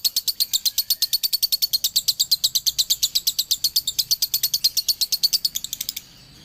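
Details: Dobelan from a male lovebird of Ciamis: steady, machine-like chatter of bright high notes, about three per second, running for six seconds before stopping abruptly into quiet.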